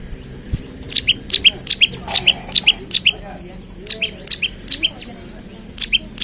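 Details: Olive-backed tailorbird calling in the morning, used as a lure to get other tailorbirds singing: rapid sharp high chirps in quick bursts of two-note 'chip-chip' phrases, repeated steadily across the whole stretch with short pauses.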